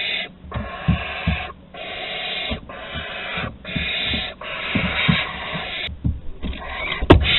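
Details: Barn owl chicks at their nest in Théding, France, 8 August 2020, begging as food is delivered: breathy, snoring hisses repeated roughly once a second, separated by brief silent gaps, with a sharp click near the end.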